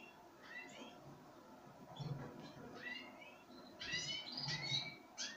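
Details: Pine grosbeak being fed sunflower seeds, giving short clear whistled notes, some rising or falling, scattered among soft rustling and a faint low murmur.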